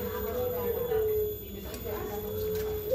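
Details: Turtle dove (puter pelung) with a long, level, low-pitched coo drawn out almost without a break, ending in a brief upward inflection.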